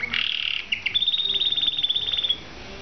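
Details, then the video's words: Canary song: a short bright burst of rapid notes, then a long clear trill of evenly pulsed high notes rolling for about a second and a half before stopping, with a faint low hum underneath. "kanarini song"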